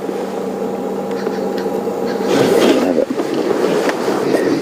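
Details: Vehicle rumble and muffled voices fill the recording, with knocks and handling noise growing louder midway and no animal calls.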